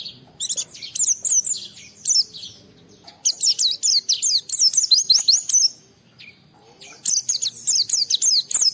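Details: Oriental white-eye in full 'gacor' song, seeking a rival and played to make other white-eyes sing: rapid high, thin trilling phrases of sharply down-slurred chirps in dense bursts, with a short pause before the outpouring resumes.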